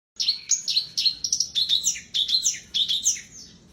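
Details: Black-browed reed warbler in lively, full song, played as therapy for birds that have stopped singing: a fast, unbroken run of scratchy chattering notes and sharp high chirps, several bursts each second, with no other sounds.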